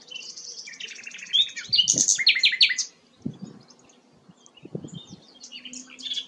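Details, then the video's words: Sikatan londo flycatcher singing actively, a bird prized for its melodious song. A rapid chattering run of high notes climaxes in loud stacked chirps, then fades to soft scattered twitters with occasional low thumps. "burung sikatan londo gacor"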